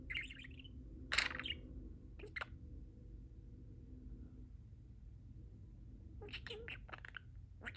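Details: A pet talking budgerigar chats with its owners in high, raspy, speech-like bursts: a few short phrases early on, then a quick run of squeaky syllables near the end, over a low steady hum.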